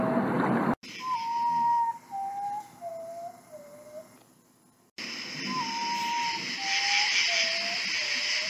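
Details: Common potoo (Nyctibius griseus) song at night: a mournful series of four slow, whistled notes stepping down in pitch, sung twice, over a steady hiss of night insects.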